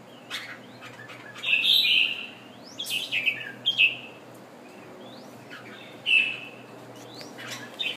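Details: Thai red-whiskered bulbul after completing its moult, singing several clear warbled bursts a second or two apart, interspersed with thin rising chips and light tapping sounds.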